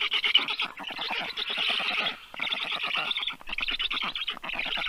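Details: Black stork chicks, rescued and 30 days old, begging during feeding at a Tartu university vet clinic in Estonia; harsh, buzzy chattering in rapid pulses, broken by short gaps about every second or so.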